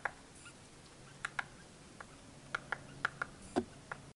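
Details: American three-toed woodpecker in Kaibab National Forest near the Grand Canyon's South Rim gives about a dozen sharp, dry 'pik' notes at an uneven pace over four seconds, against a quiet, faintly humming background.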